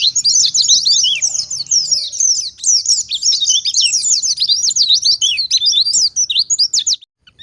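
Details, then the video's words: Wild-type Oriental white-eye singing without pause, meant to make other white-eyes respond: a continuous, high, thin torrent of slurred and zigzag chirps ending abruptly in silence. "BURUNG PLECI gacor ngalas nembak || PANCINGAN PLECI NGALAS - putar 2 menit saja.! PLECI apapun nyaut"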